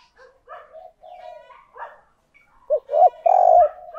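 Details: Decoy spotted dove giving coo calls meant to attract wild doves. Quiet, low murmured coos open the clip, followed by a strong rising-and-falling coo sequence in the last second and a half.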